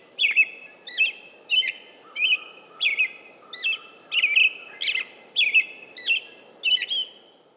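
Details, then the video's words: American robin delivering repeated clear, slurred phrases, each a quick downward note trailing into a level whistle, spaced roughly every 0.6 seconds, with a faint steady low tone and soft background noise throughout. "American Robin - Bird Calls"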